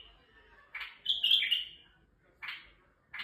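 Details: White-eared bulbul male from Turkey, singing to excite females, gives a short chirp, then a loud rich warbled phrase, followed by two further brief harsh chirps after quiet gaps.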